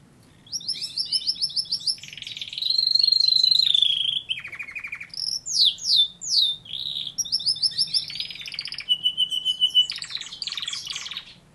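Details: Canary singing a varied high song: rapid buzzy trills, a long sustained whistled note, sharp downslurred chirps and steady trilled runs, fast and continuous, with a faint low hum underneath.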